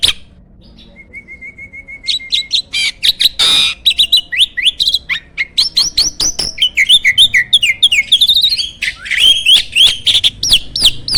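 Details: Loud-voiced champion starling, song used as a master for competition birds: a steady flat whistle, then a long dense stream of clicks, squeaks and rapidly sliding high whistles.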